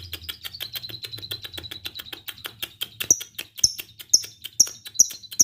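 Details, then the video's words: Lovebird of the fighter type heard through a run of dry clicks, then sharp high chips repeated roughly every half second in the second half. "SUARA LOVEBIRD FIGHTER NGETIK"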